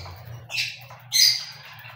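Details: Cockatiel giving two short, harsh squawks about half a second apart, the second louder and slightly longer, with a steady low hum underneath.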